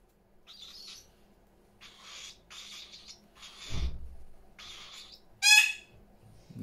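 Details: Parrots filling a house give rasping screeches in spaced bursts, a low thump in the middle, and one sharp, loud squawk with stacked tones near the end.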